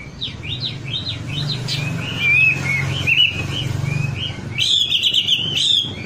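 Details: Wambi song meant to coax other birds into full song: quick rising whistled slurs, then a warbling run of high notes and a burst of sharp chirps, over a steady low hum.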